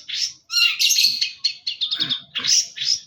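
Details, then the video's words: Long-tailed shrike singing a busy, harsh medley of scratchy rasps and rapid chattering notes, loud and nearly continuous for three seconds. "pentet gacor | cendet gacor full isian"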